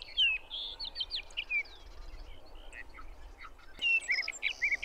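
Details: Sage thrasher singing in June at Arapaho National Wildlife Refuge, Colorado: a fast, continuous warbled song of varied whistled and slurred notes. There is a brief pause near the middle, and then the rapid phrases resume. Low wind rumble underneath.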